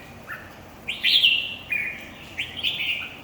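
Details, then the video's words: Red-whiskered bulbul competition singing: two loud, rich warbled phrases, each starting with a sharp chirp and sliding into a sustained bright trill, with a softer note before each. "chào mào thi đấu 3"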